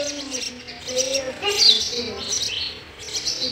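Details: Sparrow chicks in the nest as the adults feed them, giving thin high chirps in uneven bursts, with a faint low murmur underneath.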